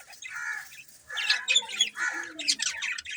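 Budgerigars chatter in a busy overlapping stream of scratchy warbles, squawks and bright chirps, several birds at once, rapid and irregular.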